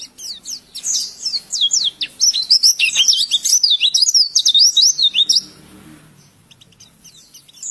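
An oriental white-eye pours out a rapid, high twittering song of thin slurred whistles, bursting for about five seconds before fading into quiet.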